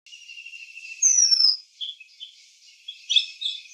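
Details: Seychelles magpie-robin in a garden, 31 March 2025: a long thin high whistle, a bright sliding note, then short scratchy warbled phrases.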